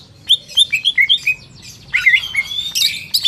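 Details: Greater green leafbird from a market delivering quick chirping whistles in a steady series, then a longer, harsher warbled phrase with buzzy notes near the end.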